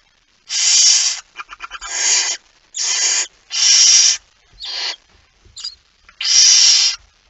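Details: Male barn owl bringing a mouse at night, 17 September 2019, 23:55; a run of loud rasping hisses with stuttering short rasps between them, roughly one per second.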